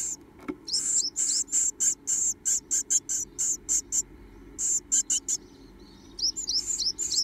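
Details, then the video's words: Two Japanese tit nestlings left in a nest box, gaping and begging for food: rapid high, thin, hissy cheeps in short bursts, repeated several times a second, with brief pauses and a faint low hum beneath. "残された2羽のヒナちゃん 元気に口を開けておねだり"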